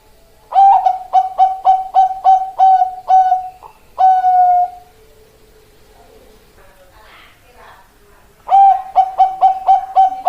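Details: Male zebra dove of the Bangkok type singing: a rapid run of short bright coos repeated several times a second, a longer drawn-out note near the middle, a quiet gap, then another quick burst of clipped coos.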